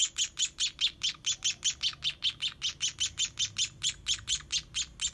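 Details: Baby sparrows being hand-fed beg with a rapid, steady stream of shrill, high chirps, about five each second, with no other clear sounds.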